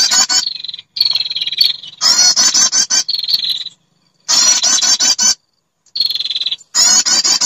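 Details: Female prinia calling for males, played as a lure: buzzy high trills and steady piping notes in bursts roughly every two seconds, with gaps of silence.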